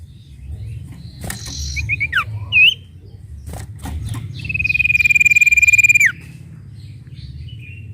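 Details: Sooty-headed bulbul (sirtu) song meant to rouse other birds: a few short chirps and a hooked whistle, then a long even trill of very fast repeated notes ending in a sudden drop, with a low hum throughout.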